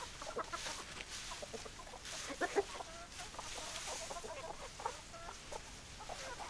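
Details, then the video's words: Hens and roosters heard clucking softly, faint repeated clucks and drawn notes over a hissy background with occasional knocks. "Chicken Sounds Noises Hens Clucking Roosters Crowing"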